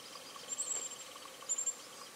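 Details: Grey-chinned minivet (Pericrocotus solaris) in Taiwan, recorded 3 March 2023, calling two faint, very high, thin sibilant notes about a second apart over a steady background hiss.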